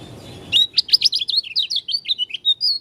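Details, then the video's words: Dakun white-eye from Lombok, an Oriental white-eye with an odd voice, pours out a fast, unbroken stream of thin, high, up-and-down slurred whistles after a brief quiet start. "Pleci dakun lombok suara aneh"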